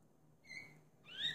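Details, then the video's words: House finch singing: a short clear whistled note with a buzzy edge, then a quick rising slurred note, over faint low background hum. "Roselin du Mexique (chant)"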